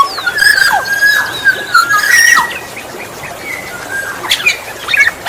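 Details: Black-naped oriole song used to lure other orioles: long, smooth fluty whistles gliding slightly up and down, joined by a few harsh notes and faint high chirps, outdoors.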